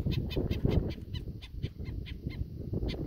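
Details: Black-necked stilt on a sod farm near Indiantown, Florida, an adult with at least one chick hidden in the grass, agitated and circling an intruder; rapid, harsh squawking yaps about five per second, over a loud low engine rumble.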